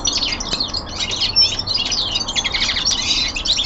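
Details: Common linnet kept as a songbird at home, giving a fast twittering song of buzzy trills and short bright chirps, packed densely with barely a pause throughout.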